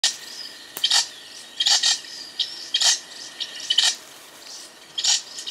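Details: Golden parrotbill (Suthora verreauxi) giving short, high, scratchy call notes in irregular bursts, roughly one a second, over a faint steady hiss.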